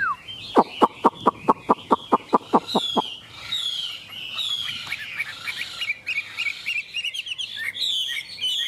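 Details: Chinese hwamei from Vietnam: a dozen loud, sharp clicks or taps at steady intervals open the passage, followed by a stream of high whistled and trilled song phrases.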